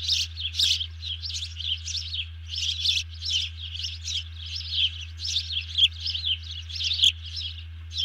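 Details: After snatching a fish, a bald eagle calls in alarm, 31 July 2020 before dawn; a continuous series of thin, squealing twitters repeated several times per second, with a constant low electrical hum underneath.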